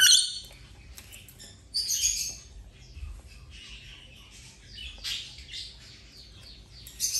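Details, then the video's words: A rainbow lorikeet playing during a 10-day recovery from an injury gives harsh, high screeching squawks in short bursts every couple of seconds, with quieter chattering between them. "Rainbow Lorikeet playing"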